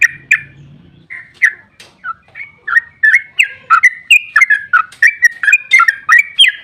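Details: Sooty-headed bulbul chattering song, a lure to get other bulbuls calling. Spaced single chirps speed up into an unbroken run of bright, varied, whistled notes about three per second.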